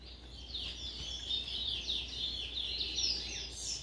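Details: Chestnut-bellied seed finch at a singing competition, giving a continuous, fast stream of high twittering and chirping notes, with overlapping slurred phrases and a steady low hum underneath.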